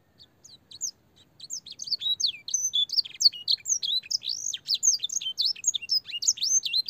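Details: Young canaries' training song with blackthroat and sanger phrases: a few scattered high notes open into dense, rapid warbling of bright whistled swoops and twitters that continues to the end.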